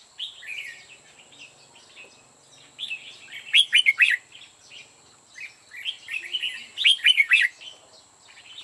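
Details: Red-whiskered bulbul used as a decoy in a trap to lure other bulbuls; clear, quick whistled phrases of warbling notes, louder bursts around four and seven seconds, with a steady high electronic whine behind.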